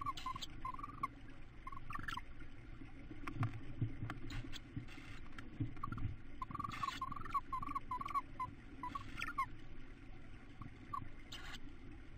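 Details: Tawny owls at the nest in April as the mother feeds the youngest chick; brief squeaky notes come in clusters through the first nine seconds, with scattered rustling bursts and a steady low rumble beneath.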